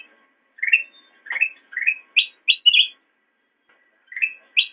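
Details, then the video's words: Black-crested bulbul song, recorded as a model for training cage birds: a string of short, upslurred whistled notes and sharper clear chirps, delivered in quick bursts with brief silences between. "Ocehan Burung Kutilang Emas"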